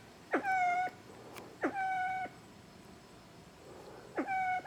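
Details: Siamese fireback, a bird said not to crow like a chicken, giving three separate calls. Each starts with a sharp upward swoop into a steady, flat, ringing tone with strong overtones, about half a second long, over a quiet background.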